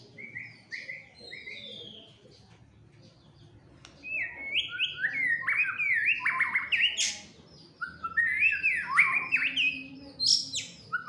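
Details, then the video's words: White-rumped shama fighter bird, emotional and in full song: soft scattered whistles at first, then loud leaping phrases of upslurred and downslurred notes with sharp high snaps; a brief spoken word follows. "tes mintal murai batu fighter gacor dan emosi"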